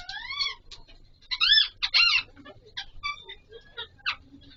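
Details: Pahari Kashmiri parrot, an Alexandrine parakeet, during mating: opening arched harmonic screeches, then two loud raucous bursts followed by softer, scattered chattering notes tailing away.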